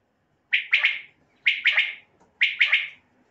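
Common quail giving its liquid three-note 'wet-my-lips' call, a quick trisyllabic phrase repeated about once a second; nothing else is heard.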